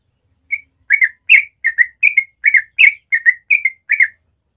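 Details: Natural morning 'ropel' song of a sooty-headed bulbul, played to stimulate young birds: an opening whistle followed by a quick steady string of clear two-note phrases, clean and close.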